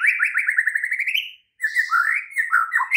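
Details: White-rumped shama at night, played to coax a caged bird into song: a fast, even, rattling trill that rises in pitch, a brief gap, then warbled whistles.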